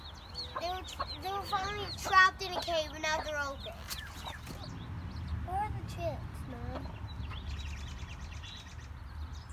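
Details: Mother hen in her nest with her chicks, warning the other hens to keep away from her babies: bursts of harsh, stacked, throaty clucks over the first four seconds, then a few scattered calls, with soft chick peeping and a voice heard.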